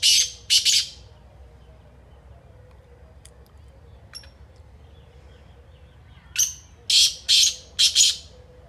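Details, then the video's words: Black francolin (kala teetar) with two grating notes ending one phrase, a few faint ticks during a pause, then a full new phrase of five harsh, scratchy syllables in quick rhythm. "BLACK FRANCOLIN ( KALA TEETAR) AMAZING VOICE"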